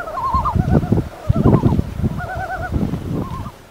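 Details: Yellow-billed Loon in Alaska giving wavering, quavering mid-pitched call phrases, four short bursts in under four seconds, over a low rumbling background.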